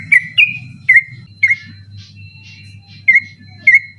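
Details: Yellow-vented bulbul (trucukan) singing persistently at night, used as a master recording for training birds that compete at night; sparse, short whistled slurred notes around one every half second, with gaps, over a steady low hum.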